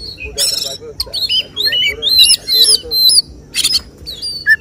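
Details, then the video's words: Oriental magpie-robin singing 'tembakan' shots at a bird-song contest: choppy bursts of harsh noise and bright up-slurred whistles repeated roughly twice a second, with other faint calls and murmuring voices behind. "Suara tembakan Kacer yang diincar juri saat lomba burung berkicau"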